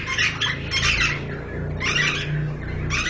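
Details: Pied myna kept by a breeder raising birds; harsh, broad squawks in rough bursts, two long ones then two more after a pause, over a steady low hum.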